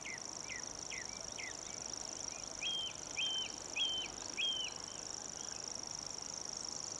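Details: Unidentified warbler singing on a home patch, a song thrush also singing at times: a few soft downslurred notes, then four clear, high, even notes about every half second, over a steady high insect drone.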